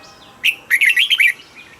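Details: Single brisk song phrase from a caged red-whiskered bulbul: a sharp whistle followed by a fast, rolling series of liquid up-and-down notes.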